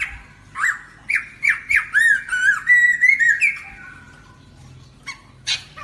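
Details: Lesser necklaced laughingthrush song used as a trapping lure: a quick run of loud, slurred whistles, some rising and some falling, with harsh squawky edges, about three per second, then a short pause.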